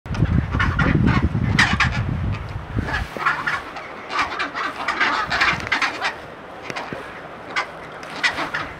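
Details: Many chinstrap penguins at Half Moon Bay, South Shetland Islands, Antarctica, give harsh, braying squawks that overlap at a rapid pace, several each second; a low wind rumble fills the first few seconds.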